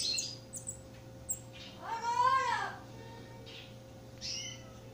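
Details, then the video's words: A Campo troupial chick being fed gives one drawn-out, nasal squeal that rises then falls, among a few thin high chips, over a steady electrical hum. "Alimentando filhote de corrupião (Icterus jamacaii)"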